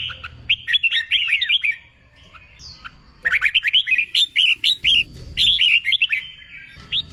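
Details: Red-whiskered bulbul under training for singing contests, pouring out fast chattering phrases of bright whistled notes, one long burst then a second extended run of rolling, bubbly whistles.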